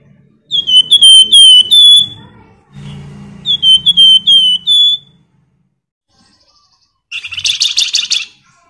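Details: Flamboyan in gacor ngebren style, played to draw other birds into singing: loud high whistled phrases of quick sliding notes, two bursts split by a pause with low room noise, then a harsh buzzy rattle.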